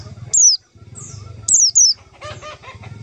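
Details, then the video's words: Lure call used to trap white-eyes: a single then a doubled high, falling note, with rustling and some lower chattering sounds at the end. "suara panggilan pleci untuk pancingan pleci"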